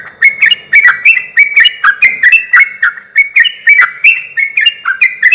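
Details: Sooty-headed bulbul in vigorous song, used as a lure to stir other bulbuls to call back. A steady stream of quick, bouncing chirped notes, several each second, bright and continuous throughout.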